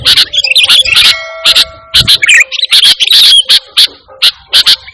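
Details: Indonesian sooty-headed bulbul singing actively without mimicry, used to call and tutor pet birds; clean, quiet background behind bright chirps, short whistled phrases and a clear trilled run near the middle.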